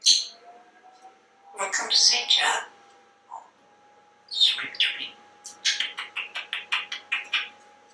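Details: Pet African grey parrot, a talkative male hatched in 1997, at home in Texas, chatting indoors before a livestream; bursts of speech-like phrases, then a pause, then a run of sharp repeated clicks and chirps, about ten in quick succession.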